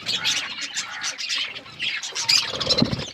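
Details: Budgies eating food and chirping, a continuous buzzy, squawky high chatter with a few clearer whistled notes near the end.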